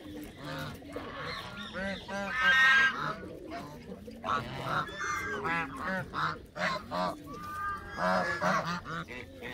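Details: A dense flock of Canada geese honking nonstop, loud overlapping nasal calls with arched, wavering notes filling nearly ten seconds.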